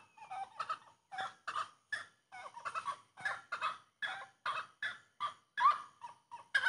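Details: Rhythmic song of the grey-cowled wood rail: a steady run of harsh, clucking bursts, about two per second, with faint whistled tones underneath and one sharp upswept note near the end.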